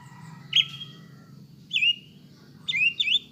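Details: Lure song of a greater green leafbird for stirring a caged bird into a fighting mood: three separate loud whistles, each rising then drawn out, the last doubled, spaced about a second apart above a steady low background hum.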